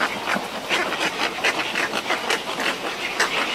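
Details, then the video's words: A pair of cattle egrets in a colony at Antananarivo Zoo, Madagascar, trade harsh, croaking calls in quick, rough bursts, about three a second, with a faint colony murmur behind. "Cattle Egret Call / Cattle Egret. Calls From Pair In Colony"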